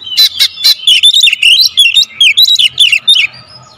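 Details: Oriental magpie-robin (Copsychus saularis) song: a loud, fast run of sharp, high whistled bursts and rapid chattering phrases, tightly packed with almost no pauses.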